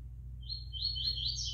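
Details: Five-month-old juvenile double-collared seedeater singing a short, bright, buzzy warbled phrase that rises slightly toward its end, with a low steady hum underneath.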